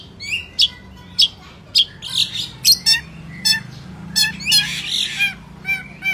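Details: Vigorous song of a long-tailed shrike: evenly spaced sharp, metallic high notes, each about half a second apart, followed by harsher, broader scratchy phrases and a faint background hum.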